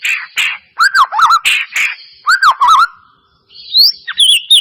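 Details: White-rumped shama lure song meant to make a silent bird sing: raspy bursts alternating with rich looping whistled notes, a short pause, then high sweeping whistles.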